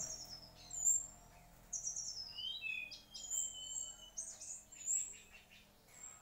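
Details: Mangrove whistler from the mangroves, its song a long, clear whistle gliding downward in the middle, surrounded by sharp, very high chirps and short squeaky notes repeated irregularly.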